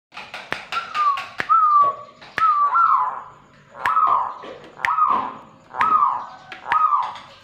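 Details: Zebra dove played to lure and stimulate other doves: a run of clear, slurred whistled coos, each dropping slightly in pitch, repeated roughly once a second, with sharp dry clicks between them.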